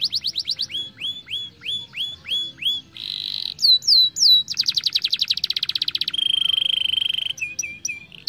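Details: Varied song of a young canary, played to encourage singing and rolling: fast trills, repeated rising whistles, buzzy bursts, descending sweeps, rattling runs and a long steady roll, ending in short whistled notes.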